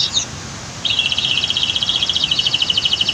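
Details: Canary beside a waterfall and dam delivering a fast, even, rolling trill of pulsed notes after a short opening chirp, with steady water noise underneath.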